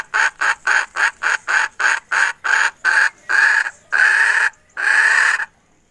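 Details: Hen, 2021, cackles in a run of about a dozen harsh notes, short and quick at first, then slowing into three longer, louder squawks at the end.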